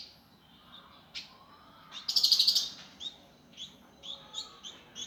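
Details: Indigo Flycatcher master recording in rough gavor kasar style: scattered high chirps and a faint low whistle, then a loud rapid rattle near the middle, followed by short, evenly spaced bright notes.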